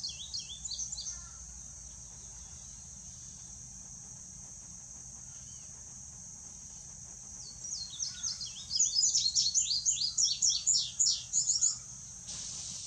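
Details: A male indigo bunting gives a short burst of high paired notes, then falls silent for several seconds under a continuous insect buzz. It returns with a longer, louder song of rapid, doubled, down-slurred notes.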